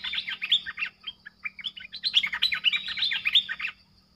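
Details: Lure streak-eared bulbul calling to attract wild birds; a busy, continuous string of quick, bright chirps and slurred notes, some rising and some falling, delivered in one run of under four seconds over a steady low hum.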